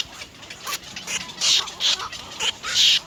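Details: At the nest, three young little egrets beg their mother for food: several loud, hoarse high squeals about half a second long, spaced irregularly, with faint chatter between.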